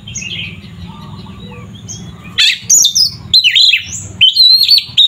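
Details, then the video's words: A quiet, murmuring start gives way to loud, bright whistled phrases from an Oriental magpie-robin (kacer), sung to stir up rival magpie-robins, the phrases coming in short bursts with brief gaps. "Suara burung Kacer GACOR ini sangat ampuh untuk menaikan emosi kacer"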